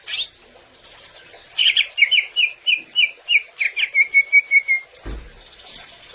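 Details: Greater green leafbird gacor song for training other birds to sing vigorously; a steady series of about a dozen loud repeated chirped notes dropping into a long level whistle, with a brief thump midway.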